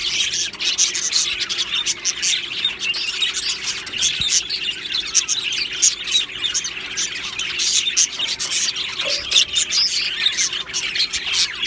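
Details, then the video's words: Australian budgerigar colony kept in an aviary, a lively chorus of high, rapid chirps and chattering warbles pulsing from many birds at once, with a brief low knock midway. "Australian Budgie birds Chirping Sounds"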